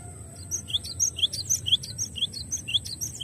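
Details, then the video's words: Cinereous tit in a clear tutor recording for training songbirds, sounding fainter and more distant. Bright, high notes in repeated rising-and-falling pairs, roughly two phrases each second throughout, over a thin constant high tone and low hum. "MASTERAN JERNIH GLATIK BATU HANDAL"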